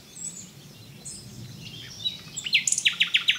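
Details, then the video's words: Common nightingale in song: soft scattered whistles from other birds first, then a loud series of six or so sharp repeated high notes delivered rapidly over the final second. "Zingende nachtegaal"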